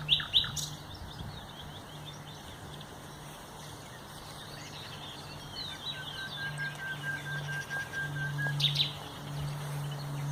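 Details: Common nightingale singing on 30 April 2021: sharp loud notes open the phrase, then rapid chattering elements and a long, even, low whistle held for over a second, ending in a burst of clicks over steady low traffic hum.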